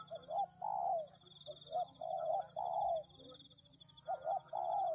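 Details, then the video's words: Spotted dove cooing as a bird-lure recording: short paired hoots followed by a longer, drawn-out falling coo, phrases repeated about every two seconds over a steady high-pitched buzz. "Pikat Tekukur"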